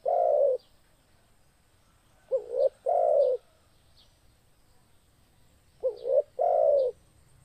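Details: Spotted dove in full song, a recording meant to stimulate other doves, coos: a quick wavering double note, then a longer husky low coo about every three seconds, with faint high chirps of small birds behind.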